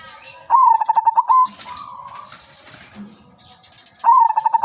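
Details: Perkutut, a zebra dove of the silver udanmas type, gives two melodious phrases, each a quick stutter of soft pulsing coos ending in a held note, separated by a quieter pause with a low murmuring sound.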